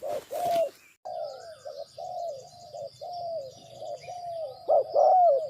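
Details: Spotted dove used as a decoy bird for trapping, giving low hooting coos, each a short note followed by a longer falling one. Softer repeated coos fill the middle, a noisy burst opens the recording, and louder phrases close it.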